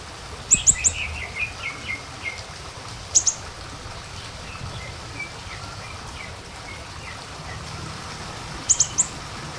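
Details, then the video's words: Lure sound of the small minivet: clusters of two or three piercing high notes at the start, middle and end, separated by softer, lower chirps against a steady noisy background. "pancingan untuk siri siri kecil"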